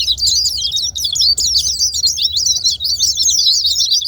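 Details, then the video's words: Energetic, high-pitched twittering from white-eyes, notes tumbling quickly over one another with only brief dips, used to stir quiet white-eyes to sing. "Pancingan terapi super gila ll buat pleci yang malaz bunyi"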